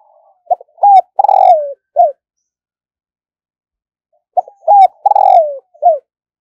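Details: Spotted dove kept as a decoy to attract wild doves, cooing loudly and close: two matching phrases about four seconds apart. Each runs pip, rising note, drawn-out falling coo, then a clipped final note.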